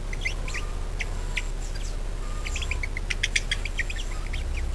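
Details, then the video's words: Warbling budgerigar chatter played to coax other budgies into lively song: scattered chirps building to a thick run of clicks and short tweets, with a steady low rumble underneath. "PANCINGAN PARKIT AGAR GACOR"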